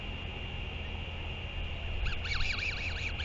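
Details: Royal albatross adults in New Zealand exchange sky calls while the mother feeds her chick on 24 February 2023 at 4:29 PM. A wavering, warbling harmonic call rises and falls in quick zigzags in the final second, after a steady hum.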